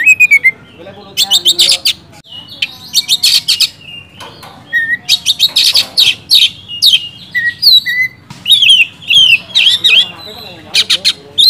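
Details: Oriental magpie-robin in sustained 'gacor ngeplong' song, meant to rouse lazy kacer: a long varied medley of harsh chatters, clear whistles and trills, delivered almost nonstop for over ten seconds.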